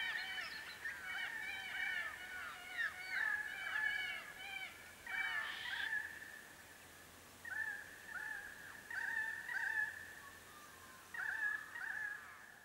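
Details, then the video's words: Grey shrike-thrush, subspecies harmonica, foraging on winter solstice day 2021 in mixed open forest and woodland in the Capertee Valley, NSW: a rapid burst of rich, ringing notes, then level whistled phrases every few seconds with slurred ends. "Grey Shrike-thrush – Includes song recordings"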